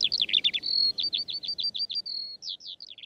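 A Eurasian skylark pours out a fast, unbroken stream of high chirps, trills and slurred whistles, several notes per second, over faint background hiss.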